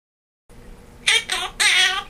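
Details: Pet male Quaker parrot at holiday time singing Jingle Bells and laughing, remembered from the year before: a short pause, then three bright, buzzy, voice-like bursts, the last and longest sounding harsh and strained, indoors.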